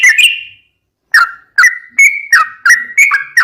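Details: Yellow-vented bulbul singing actively, used as tutor song for caged birds: a short burst of bubbly whistled notes, a pause, then a quick run of clipped, slurred whistles dropping and rising around one pitch.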